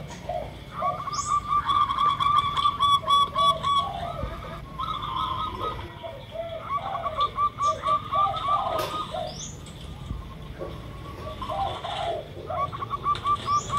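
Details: Local zebra dove, used as a lure, in several bursts of quick, repeated rolling coo notes, with lower spotted dove cooing overlapping throughout and occasional high chirps from other birds.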